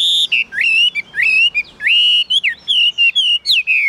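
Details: Caged Chinese hwamei giving long, pure, rich whistles that slide up and down, interspersed with short clipped notes in an uneven rhythm.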